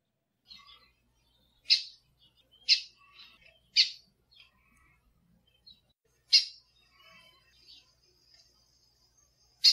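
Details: Female lined seedeater calls, played to stimulate and train caged birds: sharp, explosive chips spaced irregularly about a second apart, with fainter high twittering notes between them.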